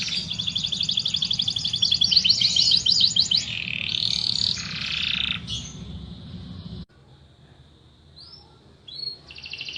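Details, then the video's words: Canary song beginning with rapid high trills and buzzy rolls over a low steady hum, then fading to brief soft notes after a short pause. "تغريد مع جميع أنواع طيور الكناري"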